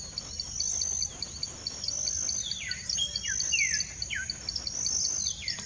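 Olive-grey saltator giving several short, slurred notes dropping in pitch, a few seconds apart, over a steady high insect drone and rapid pulsing insect chirps.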